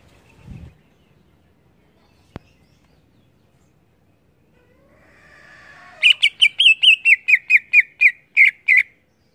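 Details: Greater green leafbird, a cage bird in full song, gives a burst of about twelve quick, loud, clear notes around two to three kilometres high, repeated roughly six per second, after a quiet start with a low thud and a click.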